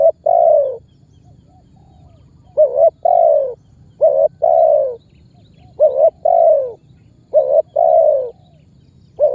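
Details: Calling spotted dove, known locally as tekukur, used as a lure to set other birds calling; paired quick notes then a drawn-out falling coo, phrases repeated about every one and a half seconds.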